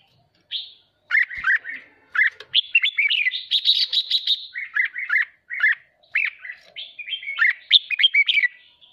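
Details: Excited caged red-whiskered bulbul pouring out song meant to stir rival birds: a long, busy stream of fluty whistled notes with a quick rattling burst near the middle, almost without pause.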